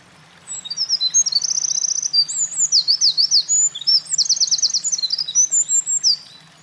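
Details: Eurasian wren singing loudly at a mountain pass on 28 April 2024, a bird that had been carrying nest material; high, fast song of rapid buzzy trills and sharp zigzag notes, delivered in an unbroken rush for about six seconds over a faint low hum.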